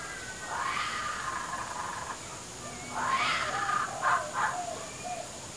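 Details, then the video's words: Hungry baby kookaburra perched on a clothes hoist gives weird gurgling begging calls. A drawn-out wavering note comes first, then a louder rising gurgle and short choppy bursts, over a steady high background hum. "Baby kookaburra makes a weird noise"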